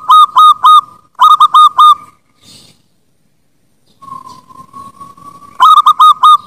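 Zebra dove song: bursts of three or four clipped, bright cooing notes, then a short pause and a long, steady, slightly rising hum before the bursts resume.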